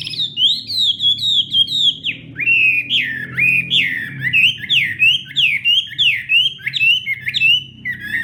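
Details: Loud Hwamei morning song training: rhythmic loops of swooping whistles, each note sliding down then up, repeated over and over in a lively, bouncing series with a low hum underneath.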